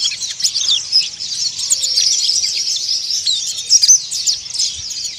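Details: Oriental white-eye producing coarse, busy chirping for bird therapy: a dense high twitter with sharp tweets and short trills throughout, and faint low background noise.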